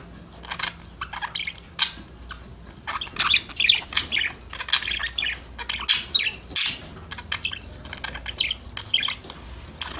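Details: Budgies chirping while playing start quietly with soft twitters, then break into louder, denser warbled chatter and squeaks from about three seconds on. A faint low hum lies underneath.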